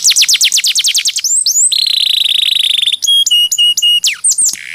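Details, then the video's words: Training song of a canary for other birds, opening with a quick run of high falling notes, then a long buzzy rolled tone, a series of sharp pulsed whistles and a final high falling sweep. "Masteran Mp3 Burung Kenari"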